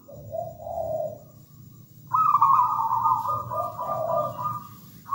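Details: A local zebra dove sings with gusto: low gentle coos, a pause, then a long bright vibrating trill that drops into mellow lower notes, with a new phrase just beginning at the end.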